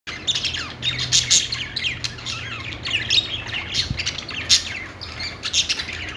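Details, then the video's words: Budgerigars singing: a dense run of bright chirps, squeaks and scratchy warbles, packed closely together with short rises and falls, over a faint low hum. "budgies singing | budgie sounds"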